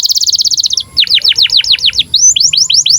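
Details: Canary in breeding condition, sung to train young canaries: a quick buzzy trill, then a run of loud swooping notes dipping low, followed by rising chirps repeated rapidly.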